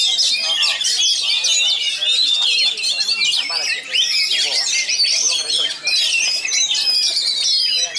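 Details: Contest-trained kacer, or magpie robin, from Pasbar, known for a luxurious repertoire sung fast and dense. A nonstop torrent of shrill whistles, slurred upsweeps and harsh chattering phrases carries on for eight seconds, dipping only briefly twice.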